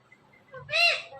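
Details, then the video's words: Ring-necked parrot talking. It voices a learned word as a faint lead-in followed by a loud, arched, overtone-rich syllable lasting under half a second, with faint low background hum. "Ring Neck Talking Parrot |بولنے والے پیرٹ"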